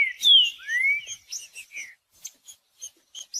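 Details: Green-winged saltator singing, played to warm up a cold bird that is not singing. A loud, clear falling whistle, then a rising slurred whistle, followed by a run of short, softer chirps and clicks that fade away.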